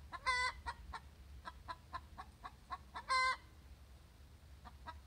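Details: A hen's post-laying egg song: it opens with a loud stretched squawk, follows with a series of sharp clucks, then a second drawn-out squawk near the three-second mark, and fades into more clucks.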